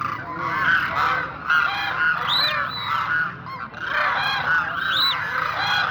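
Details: Demoiselle cranes, known locally as koonj, calling as a flock: dense, overlapping, rolling trumpeted calls with strong harmonics that rise and fall continuously, several birds at once, with brief louder bursts throughout.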